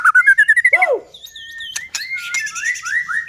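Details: Song of a White-rumped shama, meant to provoke other shamas: a fast run of about ten rising whistled notes, a low swooping note, then softer sliding whistles and chips.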